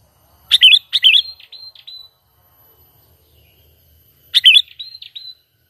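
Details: Sooty-headed bulbul calling naturally, used as a lure for trapping. Loud, bright, bubbly phrases: two in quick succession, then another after a three-second pause, each trailing into softer, thin whistled notes.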